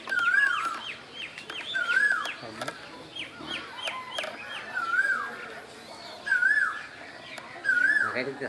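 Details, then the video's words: Asian koel calling in spring in Bangladesh: five clear whistled notes that swoop up then down, about one every one and a half seconds, over clicking sounds and other small bird chirps. "বসন্তের কোকিল, কোকিলের ডাক"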